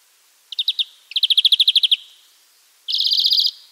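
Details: A wild European greenfinch gives three bright, high trills: a brief four-note run, a longer rolling series of about a dozen notes, then a fast buzzy trill.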